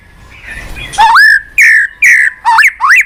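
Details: White-rumped shama song meant to trigger a quiet caged bird to respond. Five loud, clear whistles sweeping upward, about one every half second, each with a buzzy high start.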